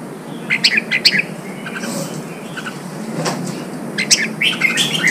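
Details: ['Red-whiskered bulbul, a newly caught bird, being stimulated to sing for contest training; short bright whistled notes at the start and end, with a rushing noisy patch between.']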